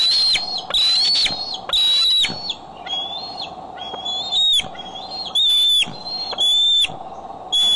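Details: Bald eagle at the Decorah nest, recorded on an eagle cam on the afternoon and evening of July 6, 2011, with birds coming and going: high thin whistled notes, slightly rising, repeated about once a second, over a steady electrical hum.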